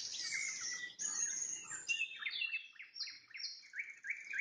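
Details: Nightingale song at sunset: a rich high jumble gives way to a series of clear, rising whistled notes repeated at short intervals.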